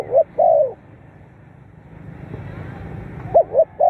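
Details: Spotted dove calling to stimulate captive birds. The close of one phrase, a short note and a long falling coo, then a pause with low noise before the two quick notes of the next phrase.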